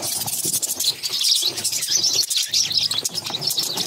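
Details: Hungry baby budgies, six chicks fed by their mother, give continuous shrill, scratchy begging chatter, high and buzzy, swelling and fading in short bursts with light tapping underneath.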